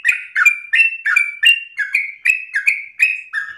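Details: Short burst of a sooty-headed bulbul's insistent 'ropel' song, used to coax other birds: fast paired notes, a warbled dip followed by a level whistle, repeated in an even, lively stream.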